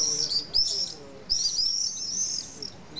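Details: Common swifts nesting in holes of a retaining wall on a hillside in Nice, France, in the evening; two bursts of shrill, high trilled screams, the second longer and sustained.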